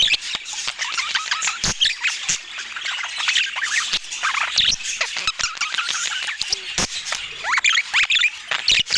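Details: Budgerigars chirping during a meal, filmed in natural Scandinavian light: dense, continuous high chattering warble of squeaks, chirps and rapid clicks, with no music or speech.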